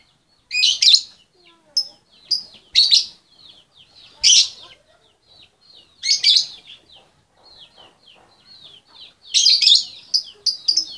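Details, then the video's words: Female lovebird calling the male, giving loud, shrill, high-pitched chirps and squeaky screeches in short clusters every two seconds or so, separated by softer twittering. "SUARA LOVEBIRD BETINA MEMANGGIL SI JANTAN"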